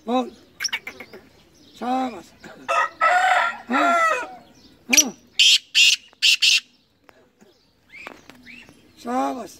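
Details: Sindhi black francolin singing: a run of four harsh, grating, buzzy notes in quick succession, each short and loud. A man's voice repeatedly urges the bird on before and after the phrase.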